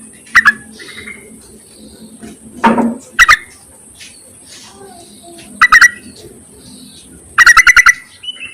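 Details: Yellow-vented bulbul call summoning males, suited to luring: short doubled notes, then longer bursts of quick bubbling notes, the last the longest, with a harsh rasp and scattered chirps.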